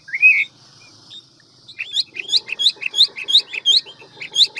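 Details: Hwamei, a large, handsome bird singing in the wild-forest style with many voices and a fast delivery; a whistled upslur opens, then after a pause a rapid run of repeated looping whistled notes, about one and a half per second.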